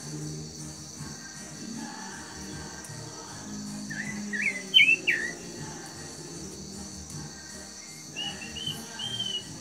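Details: A fired-up chalk-browed mockingbird that sings many different songs gives a few quick, varied whistled phrases in two short bursts, over a steady high insect hum and low background rumble.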